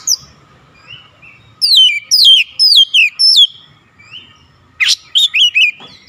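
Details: Oriental magpie-robin, persistent singer running through learned fill-in phrases: a quiet start, then a string of five loud downslurred whistles, a pause, and a final group of sharp, explosive chirps.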